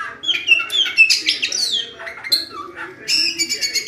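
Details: Oriental magpie-robin (kacer), a lively singing bird; rapid, high, sweeping whistles and chirps in quick bursts, with brief pauses between phrases.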